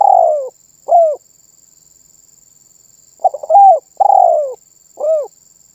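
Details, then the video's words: Spotted dove giving its steady 'manggung' cooing song, said to set other birds calling along. A long, low, falling coo and a short, rounded final note, then a stuttered start leading into the same long-short pair. Quiet background. "SUARA BURUNG TERKUKUR MANGGUNG GACOR MEMBUAT BURUNG LAIN IKUTAN BUNYI"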